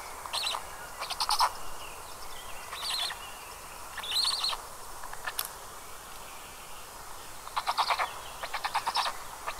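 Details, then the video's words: Black stork chicks calling from a nest in Estonia's Karula National Park, 29 May 2022 around 19:40, on a fixed nest camera: scattered raspy, pulsed bursts separated by quiet gaps, ending in a denser stuttering series. "Черный аист . Голоса птенцов."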